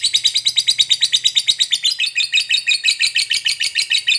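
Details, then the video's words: Fighter lovebird giving a long ngekek chatter meant to provoke other lovebirds into answering: a rapid, even string of harsh, high chirps, about five or six per second, running unbroken for the whole four seconds. "Suara Burung Lovebird FIGHTER Ngekek Panjang PANDAI Pancing EMOSI, Apapun Lovebirdmu PASTI NYAUT"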